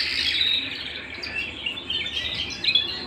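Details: Canary singing at home, rapid high twittering trills and short chirps, somewhat softer, with a faint room hum.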